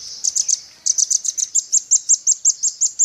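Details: Velvet-fronted nuthatch in full song in a songbird training recording: a steady, rapid series of about sixteen piercing high notes, evenly spaced, after a short opening group of three.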